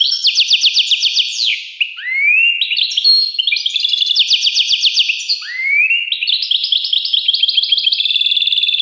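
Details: European goldfinch singing fast repeated tinkling trills, interrupted twice by rising swept whistles leading into further chattering runs.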